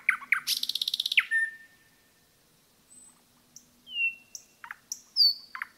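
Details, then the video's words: Common nightingale in the forest: a short burst of sharp notes, a dense buzzing trill, a long flat whistle, then a pause followed by separate high piping and sliding notes. "пение СОЛОВЬЯ в лесу"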